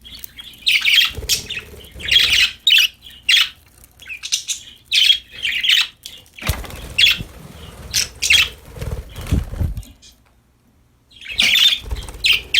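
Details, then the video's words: Happy pet budgerigars playing, giving bursts of harsh, scratchy chirps and squawks in clusters, with quieter pauses and low rumbling flutter between calls. "Happy Parakeets Chirping Sound"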